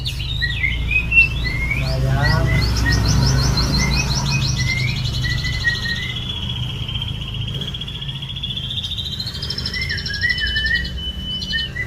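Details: White-rumped shama delivering whistled phrases, a long fast trill and a sustained high ringing note, followed by short down-slurred whistles, with a strong low droning hum underneath.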